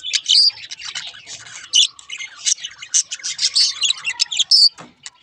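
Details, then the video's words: Singing budgies, among them a halfsider parakeet of rare mutation, pour out fast twittering chirps, clicks and thin squeaks in a continuous high warble, with a few sharp whistled notes. "Singing Budgies"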